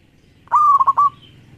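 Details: One rolling phrase from a lively local zebra dove, used as a lure for other doves: a bright cooing note broken into quick stuttered pulses, then a short tail.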